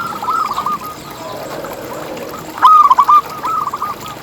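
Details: A local zebra dove sings strongly as a lure for other zebra doves: faint looping coos first, then a louder clear phrase of quick bubbling notes, followed by a softer answering run.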